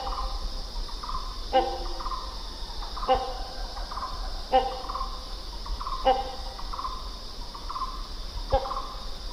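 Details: Series of loud, abrupt hornbill calls spaced about every one and a half seconds, each with a faint echoing follow-up note, set against a continuous high-pitched insect chorus.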